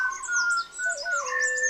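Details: A Malabar whistling thrush sings in the Western Ghats, India, early morning before sunrise: clear, humanlike whistles, mid-pitched and gliding, one falling into a lower held note. Thin, high chirps from other birds sound behind it.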